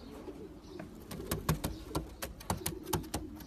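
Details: Champion racing pigeons coo in low, bubbling phrases while rapid sharp taps and clicks sound irregularly throughout, about one to three per half second.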